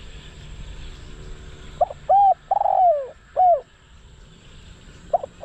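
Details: Decoy spotted dove for luring wild doves, calling a clear phrase of two quick curved notes, a long sliding coo and a final falling note, then starting again after a pause; quiet rural hum behind.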